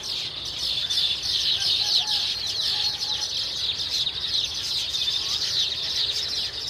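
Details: Baya weaver flock giving a dense, continuous chorus of high, buzzy chirps and chattering notes that overlap without pause, steady in loudness throughout, with no other clear sounds.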